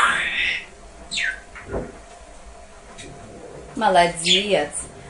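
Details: Pet parrot, prompted by its owner to sing, gives a short voiced, speech-like burst of imitated lullaby singing after a few sharp whistles.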